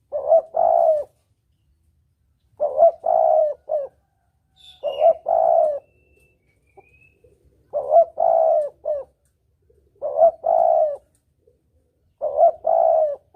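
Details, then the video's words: Spotted dove lure call for hunting in the double-kuk style, delivered as a steady series of six cooing phrases about every two seconds, each a short note, a longer low coo and a clipped close. "Suara pancingan Tekukur || suara pikat tekukur || mp3 suara tekukur jernih"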